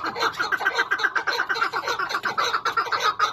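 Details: Chukar partridge, associated with feeding wild partridges, gives a fast, continuous run of harsh clucking notes. Several notes per second run together into a dense, chattering series with no pauses.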